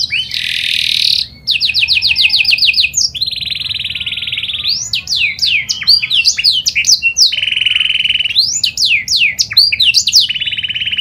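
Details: Lure song of a canary (kenari panda), meant to set other canaries singing: fast trilled bursts alternate with steady buzzy rolls and clusters of steep sweeping whistles, loud and continuous throughout.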